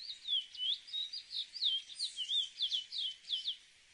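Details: Chestnut-bellied seed finch (cacahuero, Sporophila angolensis) singing a rapid run of clear whistled notes, many slurred down then up, about three to four per second, steady for nearly four seconds.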